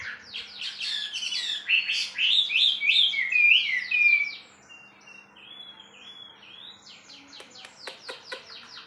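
A wambi bird pours out a fast, loud, varied warbling chatter for four seconds, then softer slurred whistles and scattered clicks follow.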